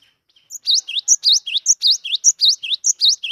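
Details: Freshly wild-caught Cinereous tit singing readily, used to coax quiet tits into song. A steady run of high, clear phrases, each a bright upswept note paired with a lower one, repeated briskly about six times.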